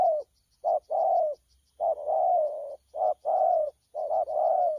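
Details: Young wild-caught spotted dove cooing in the 'thổ pha' style, recorded 12 October 2019: low mellow coos in pairs, a short note then a longer drawn-out one, three pairs in quick succession, faint high hiss behind.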